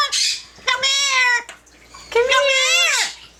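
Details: A yellow-naped amazon parrot singing and talking at home gives two long, loud, even-pitched harmonic calls, each nearly a second long, with a short noisy burst at the start.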